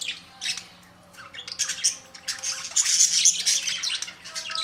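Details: Budgerigars calling; dense high-pitched chirping and squawking chatter from several birds, continuous and overlapping, with a faint steady hum underneath.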